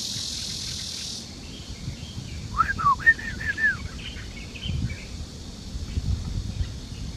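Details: Male white-rumped shama singing at 12:19 on 13 June 2018 in Loudi Mountain Nature Park, Mituo, Kaohsiung, Taiwan: a brief burst of rich, slurred whistles over a steady high cicada drone and low rumble.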